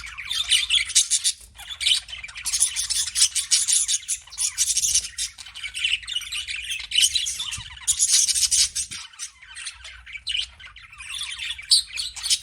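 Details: Budgerigar chirping continuously: a busy, high, scratchy warble of twittering notes and squeaky bursts, rising and falling in loudness with only brief pauses, over a faint low hum.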